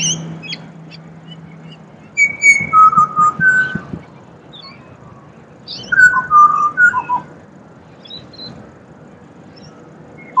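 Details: Australian pied butcherbird song, two bursts of rich, flute-like whistled phrases about four seconds apart, each a run of slurred notes stepping up and down, with faint chirps from other birds between them.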